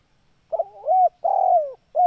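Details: Spotted dove, known locally as tekukur, singing: loud low cooing notes around a steady mid pitch, a stuttered double start followed by long drawn coos that slide downward, with short gaps between phrases and no other sounds.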